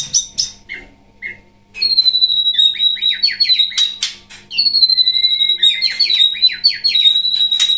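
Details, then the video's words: White-rumped shama of the Pasaman type, Indonesia, caged and used as a singing teacher, known for loud 'ngerol nembak' rolling song; after brief chirps comes a long continuous stream of bright whistled notes with fast downward-slurred trills. "MURAI BATU GACOR MATERI MEWAH JADI GURU VOKAL HANDAL"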